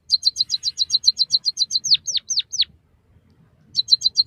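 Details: White-headed munia song for training caged birds: a quick string of about sixteen bright high ticks, four down-slurred whistles, a brief pause, then the ticking run starts again.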